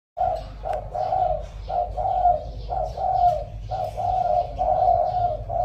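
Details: Captive spotted dove decoy bird, said to coo well, giving deep, hollow cooing, soft notes run together roughly once a second, over a faint low indoor hum.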